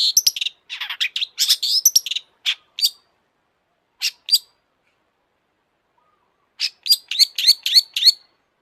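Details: Long-tailed shrike singing with high excitement: a continuous chattering, scratchy jumble of notes, scattered sharp chips, a long pause, then a fast string of repeated high chirps.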